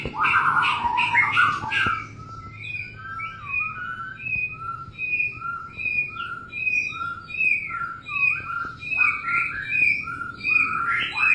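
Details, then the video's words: White-rumped shama while mating: a loud burst of warbling, then a long string of clear two-part whistles repeated roughly every half second, alternating high and low. "Begini kalau murai batu kawin"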